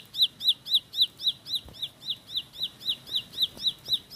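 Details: Ciblek, the bar-winged prinia, in a fast roll of loud high whistled notes, each rising and dropping, nearly four per second and very evenly spaced, with a faint click in the background.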